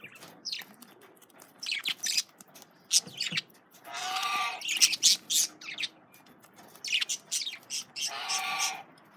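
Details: Male budgerigars eating carrots, giving scattered chirps and harsh, squawky bursts of warbling chatter, irregular and broken by short pauses, with some noise from feeding.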